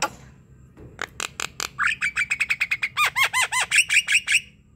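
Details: Javan myna song used as a lure for idle birds: a few clicking notes build into a fast, even series of bright, arched, slightly harsh notes repeated about three a second, over a low background rumble.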